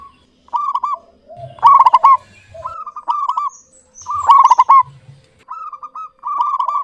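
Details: Clear-voiced local zebra dove repeats its cooing phrase: a sharp stuttered burst then rolling warbled coos, about two loud bursts in seven seconds with softer coo series between, plus quiet low thuds.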